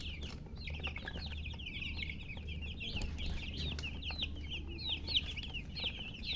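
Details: Chicks, young chickens, peeping continuously in a dense chorus of short high sliding chirps, several birds overlapping, with a constant low background hum.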